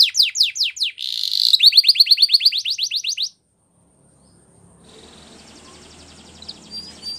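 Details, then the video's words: Belgian canary training song: loud down-sweeping notes and a quick trill for three seconds, then silence with only faint, distant twittering and a low hum. "The Most Magical Training Belgian Canary"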